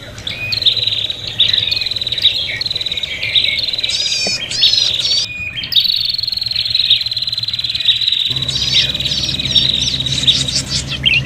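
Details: Fighting prinia calls for luring birds: a long, almost unbroken high buzzy trill, with bursts of sharp chirps near the middle and end, and a low hum returning in the final seconds.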